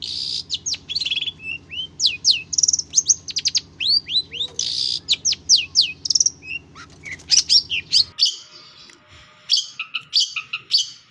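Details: Madura long-tailed shrike taught with recordings of other birds, pouring out rapid slurred whistles, ticks and trills in a dense mimicked medley; a low hum stops partway, then buzzy chatter continues.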